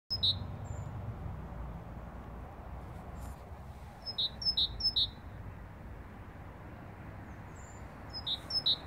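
A great tit gives short bursts of bright, high, evenly spaced notes, three at a time, with pauses between, over a low background rumble.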